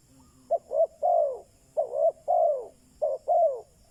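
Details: Spotted dove kept as a lure for wild doves, repeating its three-part cooing phrase three times in quick succession, two short notes then a longer descending coo each time.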